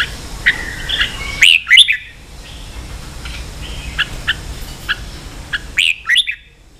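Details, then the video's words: Red-whiskered bulbul in ché-style song for training young birds: short whistled notes and rising slurred calls, a loud burst near the start and again near the end, softer scattered notes between, plus sharp clicks. "luyện chào mào ché.kích chào nào hót ché căng lửa.kich chao mao boi hot เสียงฝึกลูกนก | นกปรอดหัวโขน"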